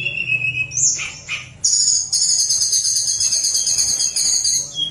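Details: Sunda warbler song used to stir lazy birds into singing: a few thin whistles, then a sustained bright rattling trill lasting over two seconds and ending on a lower whistle.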